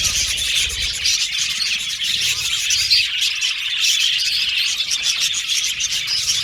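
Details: Many budgerigars of an aviary colony keep up a lively, high, twittering chorus, with sharp chirps standing out briefly against the constant warbling.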